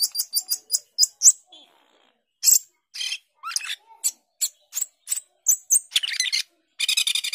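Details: Asian glossy starling (cucak keling) in varied song: rapid high clicking notes, scattered squeaks and whistles after a brief pause, closing with dense buzzy chatter.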